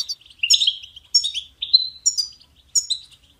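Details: European goldfinch song, used for training songbirds: short bright twittering phrases with sharp high chirps and slurred notes, coming in bursts separated by brief pauses, on a quiet background.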